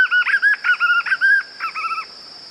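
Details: White-eared puffbird song: quick runs of full, warbling whistled notes repeated in tight groups, a longer burst followed by a shorter, softer one, over a constant thin high tone in the background.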